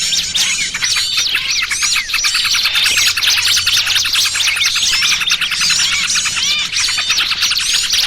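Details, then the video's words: Lure recording for trapping small birds, a noisy trucukan mix combined with 'burcil kejepit' calls: a dense, continuous chorus of high, sharp chirps and rapid twittering notes overlapping throughout. "Suara Pikat Burung Kecil Paling Ampuh!! trucukan ribut kombinasi BURCIL KEJEPIT"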